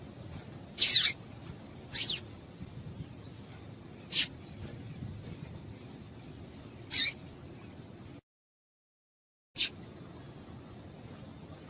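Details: Scattered high, clipped chirps, five in all at irregular intervals, from a female yellow-bellied seedeater whose piado stimulates males to sing, with a brief silent gap.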